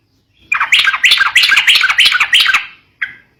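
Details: Sooty-headed bulbul song, played to stir up young birds: a burst of rapid, bubbly, slurred notes, about six quick phrases over two seconds, then a short separate note after a pause.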